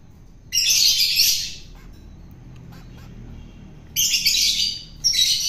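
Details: Long-tailed shrike from the wild, fed by hand to tame it, utters long rasping, hissy squawks, one lasting about a second, then two more after a quiet spell.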